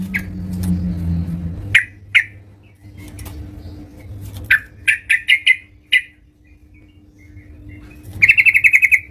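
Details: Yellow-vented bulbul singing at home: scattered sharp chirps, paired and in a quick cluster of five mid-clip, ending with a fast rattling trill of even notes. A low steady hum fills the start, and a faint tone persists throughout.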